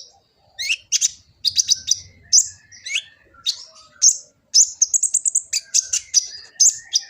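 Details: Full, busy song of a kolibri ninja sunbird, taped on an Android phone in Gresik, East Java: a nearly continuous stream of high chirps, quick trills and slurred whistles with few pauses, plus a faint low rumble.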